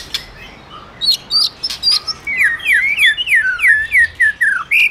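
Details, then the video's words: Shama stirred to sing by a female: soft high chips at first, then a rapid series of about ten loud, falling whistled notes, closing on a short rising whistle. "Chòe Lửa Hót Hay Má i Kích Trống Căng Lửa/Tiếng Chòe Lửa Hót"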